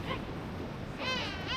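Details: King penguins at the huge Gold Harbour colony on South Georgia give a brief note, then a longer wavering trumpet-like call, over a steady murmur of the colony and wind.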